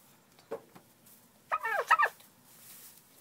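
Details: Turkeys kept in a barn: one faint short call, then a louder burst of rough, harmonic, wavering calls lasting about half a second. The background is otherwise quiet.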